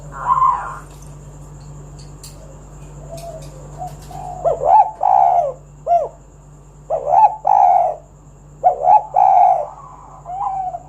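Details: Lively spotted dove giving 'kuk 1' song meant to draw other doves into singing: after a quiet start, paired soft rising coos followed by a longer hollow note, repeated in bursts about every second or two over a faint hum.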